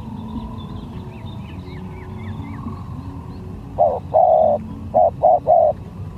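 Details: Spotted dove in a lure contest, coos arriving late: a short note, then a sustained coo, then three quick clipped coos, preceded by faint high chirps of another bird and steady low background noise.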